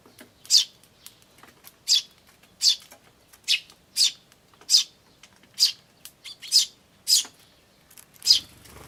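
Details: Tree sparrow young and adults recorded 10 May 2013: a regular series of high, short chirps, a bit under one per second, with a faint low rumble near the end.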